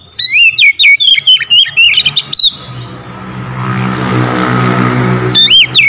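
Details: Kacer lure song: bursts of loud, looping whistled and chattering notes, broken by a passing vehicle's rumble, then the bright phrases resume, meant to prompt lazy magpie-robins into full song.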